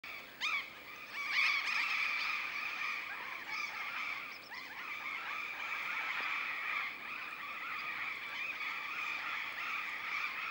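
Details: A noisy flock of wild Burrowing Parrots (Cyanoliseus patagonus) in Catamarca, Argentina, giving a steady, overlapping chorus of harsh, grating screeches, several each second, with no other clear sounds.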